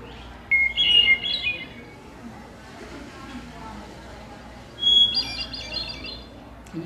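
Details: Hermit Thrush, a migrant that goes north to nest, singing two flute-like phrases, each opening on a long pure note and breaking into a shimmering, rising flourish, the second pitched higher, several seconds apart.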